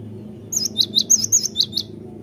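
A great tit sings a quick run of high, clear notes that alternate between two pitches, about eight in just over a second, over a low steady hum.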